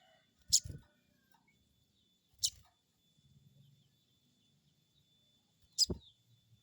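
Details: Crested jay crecet call used as a lure to make another bird answer: three sharp, very high chips spaced about two to three seconds apart, each with a soft low thump beneath it.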